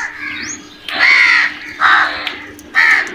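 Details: Crows calling while attacking food: a thin rising note, then three loud rasping caws spaced about a second apart, over a faint constant hum.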